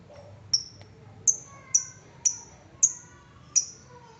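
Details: Lovebird ticking sound, played as a lure to make lovebirds trill; sharp, very high clicking ticks, each with a short fading tail, repeated about every half to three-quarters of a second, over a quiet low hum.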